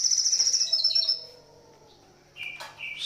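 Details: Morning song of a crested jay: a fast, pulsing high rattle of about a dozen clipped notes over one second, then quiet, followed by a couple of sharp chirps.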